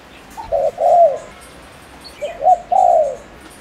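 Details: Spotted dove, a Ninh Thuận decoy for provoking males, gives two coo phrases: a soft lead note, a short coo and a long drawn coo, repeated after about 1.8 seconds, with thin high chirps faintly behind.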